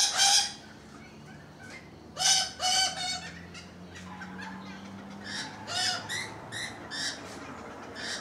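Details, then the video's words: Rainbow lorikeets calling from a balcony, harsh squawking screeches scattered through the recording, with a loud opening burst and a chattering run of rasping notes toward the end. "Balcony Birds EPISODE 1: Rainbow Lorikeets"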